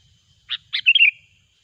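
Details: Sooty-headed bulbul, loud lure recording for trapping: two sharp introductory notes followed by a quick liquid warble that slides downward, all within about half a second, with near-silent background.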